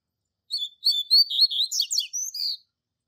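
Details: Classic Tui Tui Zel Zel song of a Double-collared seedeater tutor, used in training young birds: two high whistled notes open a quick sequence of warbled, buzzy and rolling phrases lasting about two seconds, then silence.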